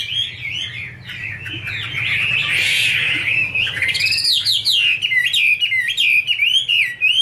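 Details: Captive female Chinese hwamei with a male as backdrop: fast tumbling whistles, a harsh noisy buzz in the middle, then clear looping whistled notes repeated several times a second.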